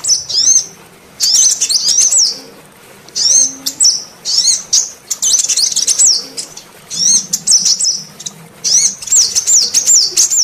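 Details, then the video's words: Female sunbird call for luring males: repeated bursts of high, rapid chittering and rising-falling whistles, each phrase about a second long, separated by brief quiet gaps. "Pancingan suara kolibri betina untuk memancing semua jenis kolibri males bunyi"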